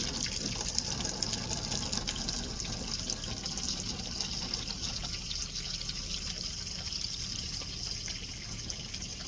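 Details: Steady trickling and splashing water fills the recording, with no clear animal calls.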